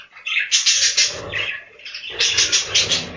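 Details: Budgerigars kept in a breeding room on a budgie farm, many birds chattering together in bright, scratchy warbles with bursts of high chirps, two loud swells separated by a quieter dip.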